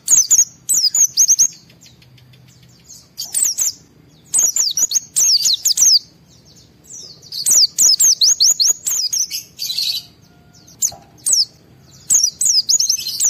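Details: White-eye in emotional gacor 'ngalas' fill song, used as a lure so other white-eyes answer; long run of fast, shrill, sliding twitters in bursts of a few seconds with brief gaps.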